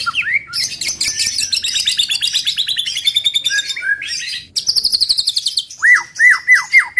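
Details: White-rumped shama delivering 'tembakan' song to provoke other shamas: long buzzy trills and rattles, then a neat series of five or six sharp whistled notes at the end.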